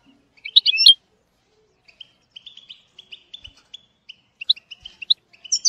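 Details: European goldfinch song used to train a young bird: a loud cluster of bright chirps, then sparse, thin twittering notes scattered through the rest of the passage.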